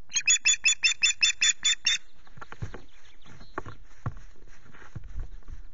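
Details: Morning on 19 April at the Loch Garten Osprey nest, during intrusions. Nine quick, high whistled pips open the recording, followed by rustling and clattering sounds at the nest.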